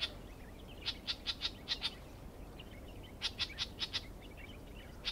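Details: Clamorous reed warbler at Stewartgunj, Andaman, gives two quick bursts of five or six sharp, high clicking notes, with faint softer chatter between them and a low background hum.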